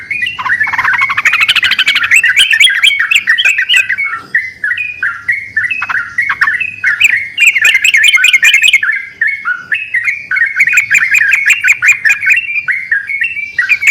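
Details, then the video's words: Yellow-vented bulbuls in full voice, calling back and forth as a lure: a long run of bubbling, chattering phrases, several birds overlapping, with faint low hum underneath. "pancingan burung trucukan gacor saling bersautan"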